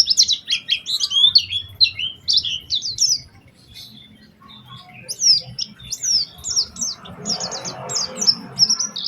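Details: Lively, specially phrased lure song of an Oriental white-eye, meant to make other white-eyes sing: a burst of high sweeping chirps, a pause of about two seconds, then more chirps, with some hiss near the end.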